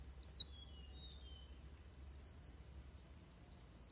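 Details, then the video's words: Van Hasselt's sunbird singing its fighting song as a tutor recording: high, wavy trilled phrases descending slightly, repeated in three bursts with steady pulsing notes. "Suara Kolibri Wulung Tarung Buat Masteran"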